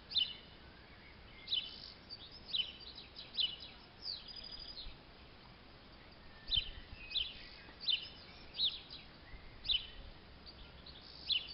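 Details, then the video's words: Tit, judged from black-and-white head (a robin also suspected), heard on an evening walk on 1 July in Bilfingen, gives short, high, sharp call notes in two loose runs, about one or two per second, over faint steady hiss. "Ruf einer Meise"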